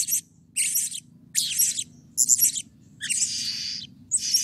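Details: Excited Blue-crowned hanging parrot, its calling used to lure other birds into calling: irregular shrill rasping bursts with sharp whistled peaks, a longer buzzy note near the end, over a soft low background murmur.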